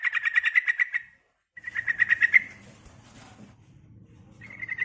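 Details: Female yellow-vented bulbul calling a male: three rattling bursts of quick, evenly paced notes, the later ones over a low continuous hum.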